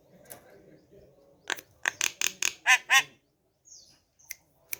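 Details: Javan myna kept at home in the morning: a short run of harsh, grating notes that grow louder toward the end, with a few faint clicks afterward.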